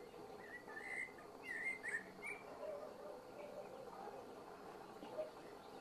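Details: Common blackbird giving a calm, unhurried evening song: soft fluted warbling phrases in the first two and a half seconds, then only a steady low hum and faint background noise.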